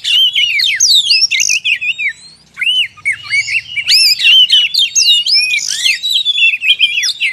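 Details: Oriental magpie-robin lure song meant to attract wild magpie-robins: looping whistled notes alternating with harsher squawky phrases, a short lull in the middle, then energetic varied whistling resumes.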